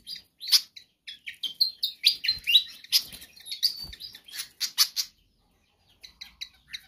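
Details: Lively pied fantail song meant to lure or train other birds: quick run of high, thin squeaky notes and short twitters for five seconds, then a few softer scattered chirps.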